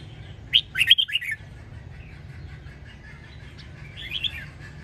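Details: Red-whiskered bulbul from Sông Kon, Quảng Nam, Vietnam, kept as a cage bird and recorded for song training: a quick cluster of four to five chirpy, looping whistled notes, then softer chatter and a later faint phrase over low hum.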